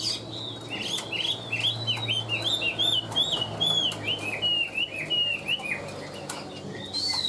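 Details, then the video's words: Caged Chinese hwamei, kept tame and praised for a very even voice, singing a rapid, continuous run of loud arched whistled notes that slide up and down, phrases tumbling together with a faint low hum behind. "Họa mi đẹp hót hay"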